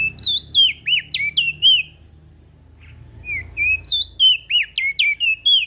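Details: Strong, melodious song of a crested white-eye from Lombok, used to prompt quiet birds: two runs of rapid, high, swooping whistled notes, about three per second, separated by a short lull with a low hum.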